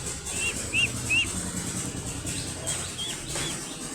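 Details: A brood of baby ducklings exploring together: three clear arched peeps early on, then softer scattered peeps after a quieter stretch, with low rumbling background noise throughout.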